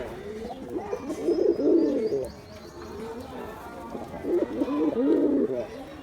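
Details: Two clear bouts of deep, pulsing cooing from a male Giribaz pigeon during its performance, each about a second long and separated by a quieter pause.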